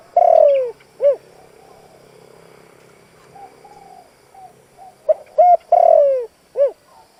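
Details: Caged decoy spotted dove giving its driving coo to lure wild doves. The close of a phrase, a long falling coo and a short note, then a pause with soft murmurs before one full phrase of short coos, a drawn-out coo and a final note.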